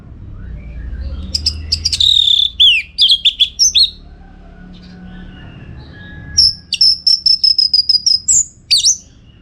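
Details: Orange-headed thrush song from northern Bali, used to train contest birds: a burst of sharp chirps and falling whistles, a quiet pause, then a long rapid series of high ticking notes over a steady whistle.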